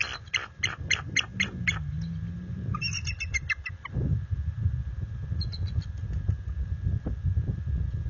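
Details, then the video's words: Bald eagles of a resident nesting pair issue alerts and warnings to an intruder eagle at night, February 26, 2022: a fast, evenly spaced string of sharp high notes, then a brief chattering burst and fainter calls, with low rumbling noise throughout. "Intruder Adult Eagle - Visits After Dark- Bella Smitty Defend Nest"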